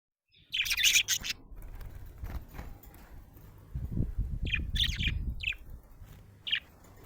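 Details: Happy budgerigar chirping: clusters of short, high chirps at the start, with more scattered chirps later, partly masked by low rumbling handling noise in the middle.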